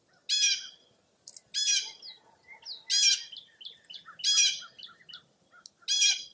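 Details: Birds at Mirror Lake State Park, Baraboo, Wisconsin, on a foggy early April morning: loud, buzzy, trilled phrases repeat roughly every 1.3 seconds. Softer, short chirps fall between them.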